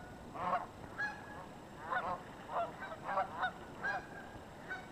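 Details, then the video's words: Geese flocking on the Yakima River give repeated nasal honks, roughly one or two per second, some doubled, from several birds against a constant faint hiss. "Geese on the Yakima River"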